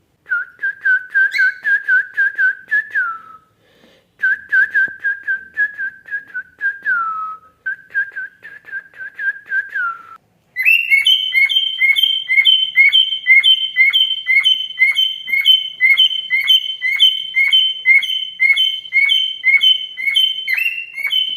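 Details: A male cockatiel singing along with his owner whistles steady mid-pitched phrases, then breaks into a fast run of bright repeated chirps.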